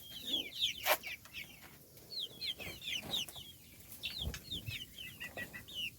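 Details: Little chickens peeping during feeding time; rapid, overlapping high descending chirps from several chicks, nearly continuous, with sharp clicks of pecking and a brief loud tap.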